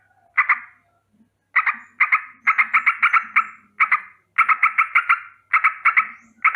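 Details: Yellow-vented bulbul giving a rolling danger alarm in the morning: bursts of harsh, chattering notes repeated in quick runs, with short pauses between groups and a few soft low sounds beneath.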